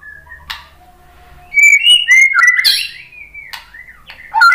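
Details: Bait song of a white-rumped shama, meant to rouse fighter males into answering: a soft faint whistle, then a loud run of clear, sliding whistled notes, with a fresh loud phrase beginning at the end.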